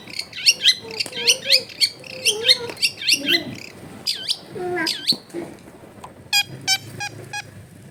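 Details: Long-tailed shrike in full, varied song with a clear voice: a fast run of high twittering loops over lower warbled notes, then two slow deep-swooping whistles, finishing with a burst of rapid ticking.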